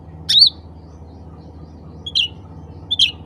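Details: Calling to fellow bulbuls, a black-capped bulbul gives three short whistled phrases, the first loudest and rising, the later two softer and falling, with a low background hum.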